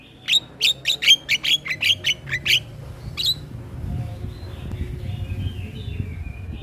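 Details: Male Asian pied starling singing a full, varied song used as a tutor for other starlings: a quick series of about nine harsh, broadband squawking notes, then a single note and quieter background hum.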